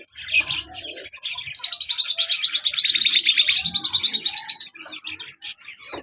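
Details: Shrill chirps from an active lovebird pair, male and black-masked female, building into a rapid series of repeated high notes for about three seconds before breaking into scattered squeaks.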